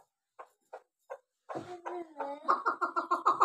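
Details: A chukar partridge kept for hunting. Three soft, separate notes lead into a harsher burst. Then comes a fast, even run of clucking "chuk" notes, about four per second, growing louder. The surroundings sound like a small indoor space.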